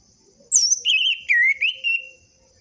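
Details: Orange-headed thrush singing, used as a lure for captive birds reluctant to sing: a sharp high opening note, then rich warbled whistles wavering in pitch and trailing off into a long falling whistle.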